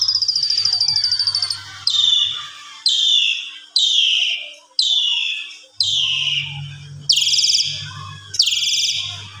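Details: Evening song of an Asian pied starling, a mimic kept to tutor other birds; a high fast trill opens, then a run of loud buzzy notes falling in pitch about once a second, over a faint low hum.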